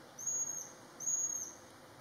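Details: Eurasian pygmy owl in Gruyère, Switzerland, in 2017 gives two very high, thin, level whistles, each under half a second, repeated about once a second over a faint steady hum.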